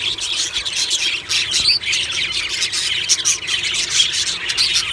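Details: Aviary budgies in the morning, happy and vocal: thick high chatter with a prominent clear whistled squeak near the middle and harsher squawks among the warbling.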